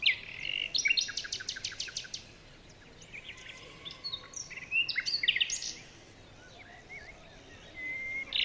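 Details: Birds in a morning forest: a fast series of sharp high clicks, then mixed chirps and thin whistles, a quieter lull, and a high whistle rising at the end.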